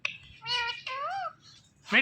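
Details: Pet talking parrot indoors, saying "Mithu": two rasping, harmonic, speech-like syllables with wavering pitch, a short opening squeak and a sharp closing squawk.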